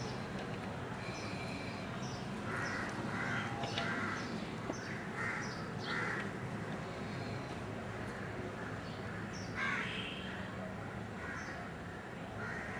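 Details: Indian golden oriole at a window, reacting to its own reflection, heard from indoors behind the glass: a string of harsh, nasal, grating calls in short bursts, with a few fainter high chirps and steady background hum.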